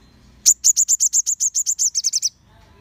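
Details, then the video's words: A group of crimson sunbirds singing, intended to make other sunbirds respond. About fifteen loud, high, slightly slurred notes come in a steady series, speeding up into quicker, closer notes near the end before stopping. "Cukup 1 Menit Saja, Sogon Ombyokan Pasti Langsung Nyaut Dan Gacor Terpancing Em0sinya"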